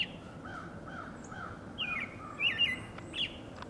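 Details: American robin vocalizing beside another robin, perhaps courting: soft lower slurred notes at first, then a few louder, sharply inflected whistled notes, with faint distant chirps behind.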